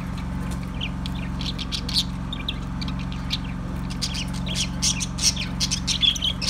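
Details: Budgie calling with clicks and sharp chirps that grow denser toward the end, set against an unbroken low humming drone.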